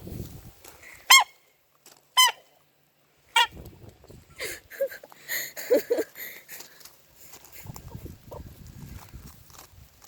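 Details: A hiccuping rooster gives three short, sharp hics roughly a second apart, each a quick clipped burst. Softer scattered sounds and low background noise follow.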